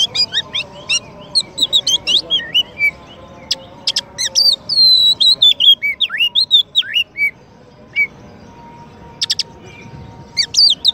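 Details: Champion Oriental magpie-robin singing as a master song for training and provoking white-rumped shamas: long stream of varied high whistles, slurred rising and falling notes and sharp chips with brief pauses, over a soft continuous hum.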